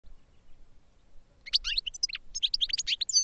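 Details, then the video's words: Caged European goldfinch in training, singing after about 1.5 seconds of quiet: a rapid jumble of high twittering notes and short slurred chirps in two bursts, with faint low rumble underneath. "Goldfinches Singing in CAGES for TRAINING"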